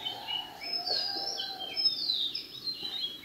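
Yellow-footed green pigeon giving mellow, wandering whistles that rise and fall and overlap, with a faint lower hum and soft outdoor background noise.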